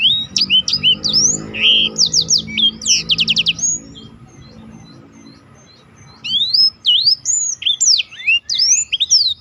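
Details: Black-throated canary song in a special roll style, used as a tutor recording for contest birds: high, rapid twittering with slurred upward and downward notes and fast trills, a quieter gap mid-way with a low hum beneath.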